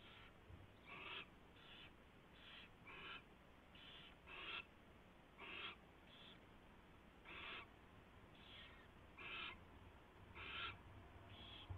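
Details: Owls at the nest on 24 February 2016 at 4:21 AM, during a mouse delivery and feeding. Harsh, raspy, hissing bursts come irregularly, about once a second, over a steady low hum.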